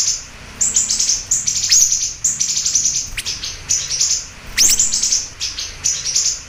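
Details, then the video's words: Lively siri-siri bird song made of bursts of high, thin twittering notes that come in quick clusters, broken by brief pauses and a sharp downward sweep. "Masteran Burung Siri Siri Gacor Dor"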